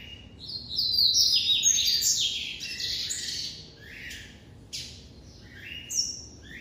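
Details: White double-collared seedeater from an amateur breeder performing classic song: a dense, buzzy, quickly modulated high phrase for about three seconds, followed by gaps and isolated sharp downslurred notes.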